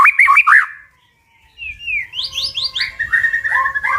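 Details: White-rumped shama in strong 'tach' song used to incite birds to fight: quick warbled whistles, a brief silence, then a run of descending high notes and steady lower whistling phrases.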